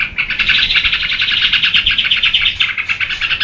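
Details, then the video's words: Yellow-vented bulbul in lively full song, meant to draw out and tutor other birds: a dense, unbroken stream of rapid bright chattering notes that stays at a steady high pitch for the whole stretch. "SUARA TRUCUKAN GACOR UNTUK PANCINGAN DAN MASTERAN"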